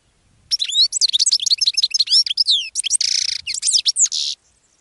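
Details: Goldfinch delivering a long, continuous, high twittering song to attract other birds, rapid varied chirps broken by two harsh buzzy notes near the end.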